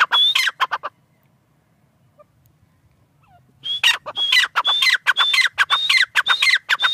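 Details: Partridge (tetar) calling in Pakistan: loud, rapid series of sharp notes with a high whistled element and downward slurs, a brief opening burst, a silent gap of about three seconds, then fast repeated calling resumes.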